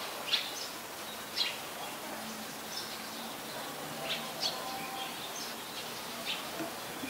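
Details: Malaysian pied fantail, a very common resident, recorded at Ubon Ratchathani, Thailand, on 14 January 2021: faint, thin, high squeaky chirps scattered at irregular intervals over a steady background hiss, with a low hum.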